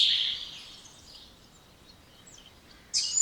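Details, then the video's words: Spotless starling song opening with a loud, buzzy high note fading into soft chatter, then a sudden bright note at the end. "Canto dos Estorninho Impecável ou Estorninho Imaculado"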